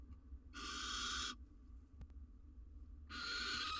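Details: Female barn owl on her eggs at a nest cam during incubation; two long rasping hiss-screeches, each nearly a second, separated by a quiet gap with a faint click, steady low hum beneath.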